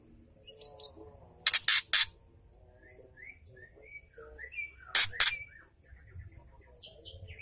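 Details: Ketrekan of a female white-rumped shama, meant to excite male birds: two pairs of harsh, loud crackling bursts mixed with scattered whistled and chirped notes.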